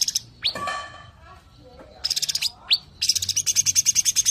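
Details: Sooty-headed bulbul in the "tembakan rapat" (close-fire) song style: sharp upswept whistles between quick dry rattling bursts, closing with a steady rapid chatter of about a dozen pulses.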